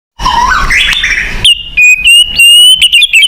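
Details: White-rumped shama song used as a lure to make captive shamas sing: after a jumbled, noisy opening, clear loud whistled notes follow, some held and steady, some short and sharp, with high squeaky accents.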